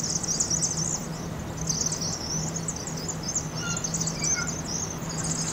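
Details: Fall-migrating Vaux's swifts circling to roost in an Agate Street chimney, Eugene, Oregon, after being spooked, sped up 2.5 times; busy high chittering in bursts, a few clearer whistled notes, low hum underneath.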